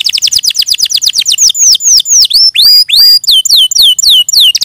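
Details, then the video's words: Canary song delivered at close range, a quick series of high repeated chirps followed by clear falling whistled notes and bright twittering phrases, no other sounds. "Suara Burung Kenari"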